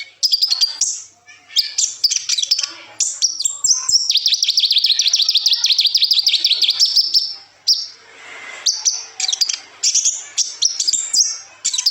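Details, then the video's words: Kolibri ninja sunbird singing its varied twists and rattles, meant for training other songbirds: sharp high chirps, then a long dense buzzy trill lasting several seconds, then more scattered shrill notes. "suara burung koLibri ninja super gacor"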